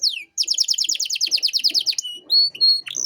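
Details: Canary song used to tutor young birds: a brisk series of high repeated notes at about six per second, then sustained clear whistles, with faint low noises behind.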